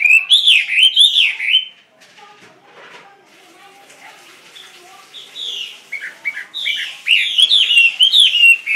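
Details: Caged Chinese hwamei singing loud, varied whistled phrases with rising and falling slurs, in a rich burst for about two seconds, then a quiet pause with faint sounds, before the bird resumes with rapid, ringing, slurred whistles.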